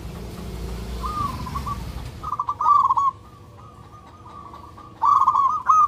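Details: Local zebra dove calling for a mate: a soft coo, then loud rolling staccato phrases, a long faint warbled stretch, and a final strong burst, over low background rumble.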